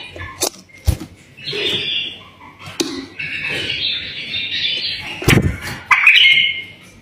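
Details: Pet bulbul in full song, meant to prompt other bulbuls to sing: flowing chattering and warbling runs, some rising notes, broken by sharp clicks and low bumps.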